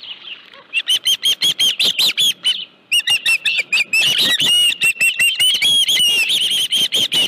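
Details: Osprey at the Dunrovin Ranch nest with a live fish, 25 July 2018, 5:23 PM: loud, sharp whistled chirps repeated rapidly in long runs, several per second, with a brief pause near three seconds.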